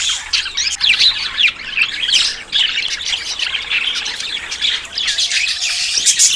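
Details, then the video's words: Budgerigars in courtship before breeding: rapid, twittering warble of many short chirps and harsh squawks layered together, steady and high-pitched with brief dips in volume. "CON ESTE AUDIO TUS PERIQUITOS SE APAREARÁN"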